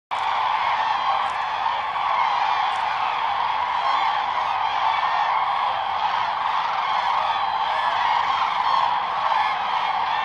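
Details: Migrating common cranes drawn toward land at sunrise at Lake Hornborga, Sweden; a dense, unbroken chorus of many overlapping trumpeting calls holds steady throughout with no pauses.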